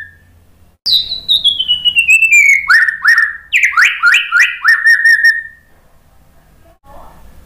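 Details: Lure song of the white-rumped shama meant to make a silent bird sing: a long descending whistle followed by a series of loud, sharply sliding whistled notes, then quiet.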